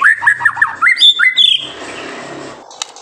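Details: Singing White-rumped shama, a master recording to encourage young birds to sing: a quick series of repeated whistled notes rising into higher slurred tones, then fading to quiet background hiss.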